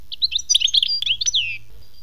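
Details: European goldfinch, khmis melyana style, delivering a short rush of liquid chirps and twitters ending in a drawn-out falling whistle.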